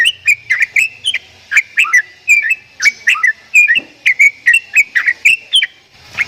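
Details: Javan myna voicing unusual sounds, a steady string of clipped, whistled chirps alternating between rising and dipping notes, roughly three per second, with a faint low rumble at the start.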